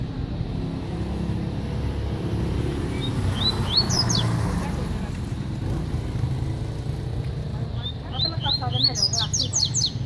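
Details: Coleiro from Paraíba sings a faint, short phrase of high slurred whistles early on, then a denser, louder burst of rapid chirping notes near the end, all over continuous low traffic-like rumble.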